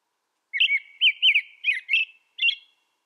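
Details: American robin song made of five or six liquid, warbling whistled phrases with brief gaps, each one looping up and down, clean and clear against silence.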